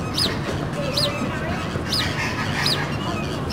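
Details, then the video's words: A pair of Fulvous whistling ducks eating duck chow at Sacramento Zoo; thin, high whistles with a quick up-and-down shape repeat about every 0.8 seconds over a steady background hum. "Fulvous Whistling Duck"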